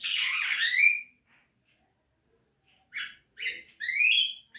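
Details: Javan myna singing in a training recording for caged birds: a long harsh squawk sliding downward, a pause of nearly two seconds, then three quick buzzy whistled notes.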